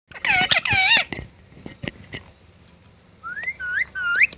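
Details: Pet talking parrot uttering short harmonic syllables, then a few wavering whistled rising notes near the end.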